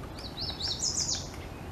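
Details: A downy woodpecker (Dryobates pubescens) on a dead tree gives a quick run of thin, high, squeaky notes lasting about a second, shifting up then down in pitch, over faint outdoor background hiss.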